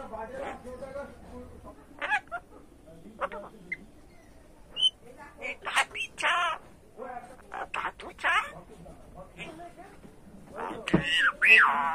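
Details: Talking pet common myna, hand-raised after being found under a light post following a storm, reported to know over 100 phrases and to swear; choppy speech-like syllables with sharp, bright whistled and rasping notes near the end.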